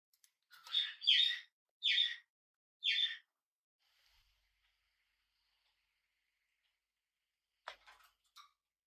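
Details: Hand-reared pet budgerigar, first day in its new home: four harsh, buzzy chirps about every 0.6 seconds, then quiet, with a sharp click and a faint tick near the end.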